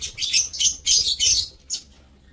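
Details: Aviary lovebirds on 7 April 2024 give four rapid, loud, shrill chirping bursts in quick succession, followed by one fainter chirp.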